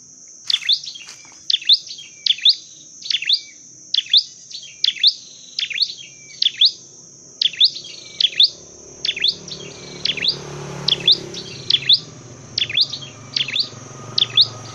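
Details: Dark-necked tailorbird in a training and trapping session giving a long run of evenly repeated high, sharp chirps, about one every 0.8 seconds, with a faint low rumble building in the background.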